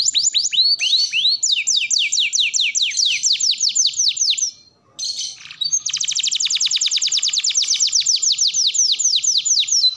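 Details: Long canary song meant to prompt canaries to learn singing: rolling runs of descending whistles, a short gap with a buzzy note, then a very fast, even trill.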